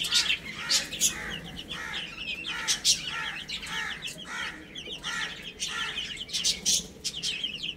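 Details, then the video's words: Adorable baby chicks chirping while playing and eating: many clear, high, downward-slurred peeps repeat rapidly from several chicks, with rhythmic sharp pecking clicks between them. "Adorable Little Chicks Chirping Sounds"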